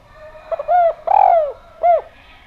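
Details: Spotted dove (derkuku) with a clear voice, used as a lure to make doves sing. A full phrase: quick introductory notes, a low coo, a long slurred coo, then a short arched coo to finish.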